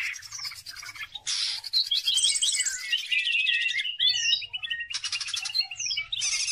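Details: Caged greater green leafbird in full chattering song, kept as a lure to stimulate other birds: bursts of harsh buzzy notes alternate with quick slurred whistles and chips, loud and restless, with a faint low hum.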